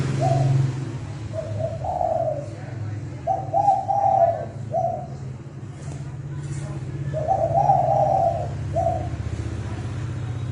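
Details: Spotted dove decoy call in the fast "thúc bổi" style used to lure birds for trapping, from 2020: soft low coos repeated in short groups over a steady low hum.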